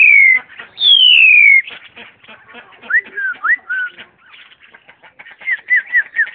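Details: Caged black-collared starling, met on a hike on 14 March 2010 and said to mimic other birds, gives two loud, long, falling whistles, then quick groups of short, bent, mid-pitched whistled notes with faint clicks between.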